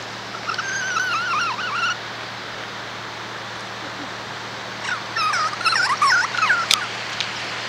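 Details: Wavering, warbling cries of a kea, the alpine mountain parrot: a long undulating call early on, then after a quiet gap a busier cluster of quavering notes mixed with sharp clicks, over steady hiss.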